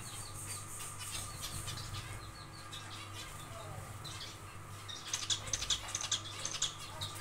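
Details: Aviary zebra finches, busy building a nest on the second day, start a quick series of short bright nasal calls partway through, repeated rapidly, over soft chirps and a constant low hum.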